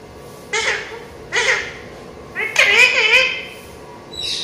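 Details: Talking parrot said to speak Urdu phrases such as Aslam Alaikum, Allah ho and lailah lailah. Three separate voiced utterances, the third longer, with wavering pitch and bright harmonics, then a brief hiss-like sound at the end.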